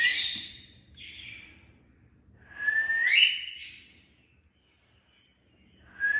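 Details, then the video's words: Indian ringneck parakeet, a pet talking parrot kept together with an Alexandrine parakeet, making natural sounds: loud, clear whistles, some rising and some falling, given in a few separate bursts with quiet gaps between. "Talking parrots making natural sounds and funny movements | Alexender and Indina ringneck"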